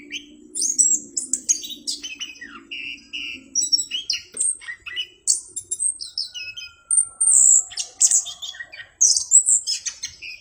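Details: Orange-headed thrush singing with a clear voice, a varied mix of high whistles, steady held notes and chirps, accompanied early on by a low steady hum.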